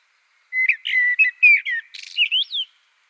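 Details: Common blackbird, clear and close: a chain of mellow whistled notes weaving up and down, followed by a rough high flourish and a final thin rising whistle, against silence.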